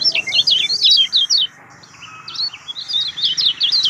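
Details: Lemon-bellied white-eye (kecial kuning) lure song played to coax a mute caged bird into singing, fast high twittering bursts, a brief quieter gap, then renewed rapid chirping notes over a faint low hum.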